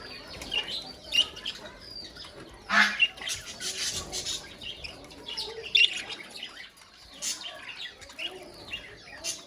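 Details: Budgerigars calling together in a colony: a dense, overlapping chatter of high squawks and chirps, with louder harsh bursts near the third and sixth seconds above a steady background murmur.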